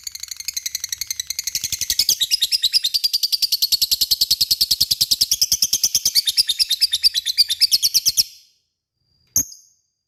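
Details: Lovebird in long ngekek song, used to provoke a response from rival lovebirds: a shrill, rapid chattering trill held for about eight seconds, steady and loud, then silence and one short sharp chirp.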